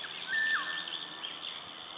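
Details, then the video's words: One clear whistled Eurasian golden oriole phrase, recorded in Latvia on 16 May 2012, a flat fluty note ending in a quick downward slur, with soft chirping of other birds behind it. "Oriole sings"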